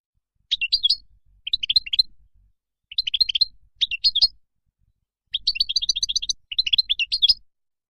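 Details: European goldfinch wild song used for teaching young birds: bursts of rapid twittering and tinkling notes high in pitch, delivered in short phrases about one second long separated by brief pauses.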